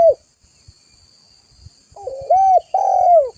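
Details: Spotted dove in full voice for luring and training birds: a lone falling coo, a silence, then a phrase of a stuttering low start followed by two smooth, arching hooted notes, the last drawn out.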